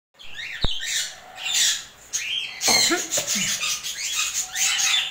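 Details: Pet African grey parrot being fed okra, letting out harsh, raspy squawks in irregular bursts, with a sharp click early on and a person's voice nearby.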